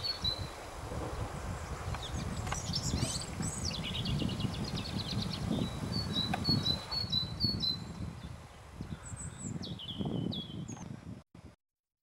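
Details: White wagtail giving scattered high, sharp chirps and short twittered phrases in several bursts, over a constant low rumble of background noise. The recording cuts to silence at the very end.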